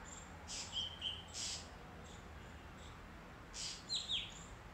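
A White-bellied drongo gives brief high whistled notes, some falling in pitch, mixed with short harsh hissy bursts over a soft background hum.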